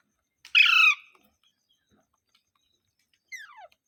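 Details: Parrot gives one strong, grating squawk, then after a long pause a thinner, weaker call sweeping sharply downward.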